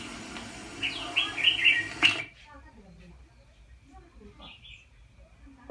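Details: Red-whiskered bulbul used as a fighting-bird trap decoy pours out a fast series of rich warbled whistles for about two seconds, then the sound drops to faint, quiet chirps.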